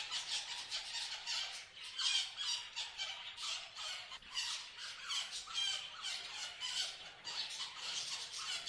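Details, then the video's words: Continuous chatter from several parrots, rapid scratchy high chirps and squawks overlapping without pause, a noisy flock sound. "Parrots Chirping Sound"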